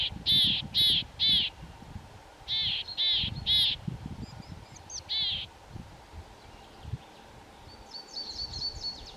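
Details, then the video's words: Tree pipit singing in a pine forest at Bzenec on 7 April 2019: loud, harsh notes in groups of three, repeated with short pauses, then single notes, with a faint high trill and background mistle thrush song. "Linduška lesní, Tree Pipit, Baumpieper, Лесной конёк, Świergotek drzewny"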